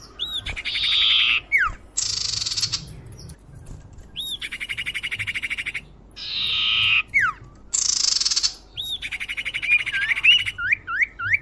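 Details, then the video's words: Common iora lure call for attracting birds: harsh buzzy bursts alternate with short rising and looping whistles, in several bouts separated by brief gaps. "suara pikat burung sirdum/sirtu/cipoh"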